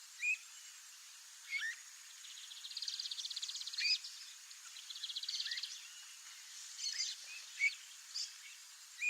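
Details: Streamer-tailed tyrant, free in Brazilian marshland and flooded areas: loud short clipped notes every second or two, with two fast buzzy stuttering series in between, against constant background hiss.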